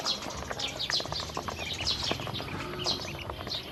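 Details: Hungry baby ducks being given feed and drinking water: piercing downward-sliding peeps, several per second from a group of ducklings, over a busy layer of pecking and scratching noises.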